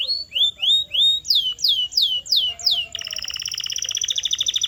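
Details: Canary song used as a training sound to make caged canaries sing: three rising whistled notes, then five sharply falling swept notes, then a fast even trill of rapid pulses to the end.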